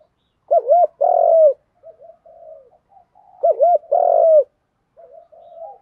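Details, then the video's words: Spotted dove cooing as a lure call to draw in wild doves: two deep, throaty coo phrases about three seconds apart, each a wavering double note followed by a longer rolling coo, with soft murmurs between. "Tiếng chim cu gáy Thúc Đấu gáy gọi kích bổi cực nhạy"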